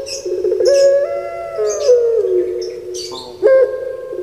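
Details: Caged puter pelung doves kept in Java, Indonesia, deliver low, drawn-out harmonic coos with rolling trilled notes, a 'kuk gerukkk kwokkk' pattern; overlapping phrases and a few brief higher chirps.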